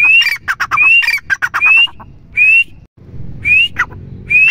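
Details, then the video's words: Female grey francolin, known as teetar, calling: loud rising whistled notes mixed with fast clucking pulses, repeated in bursts about every second, against a low background hum. "teetar ki awaz female"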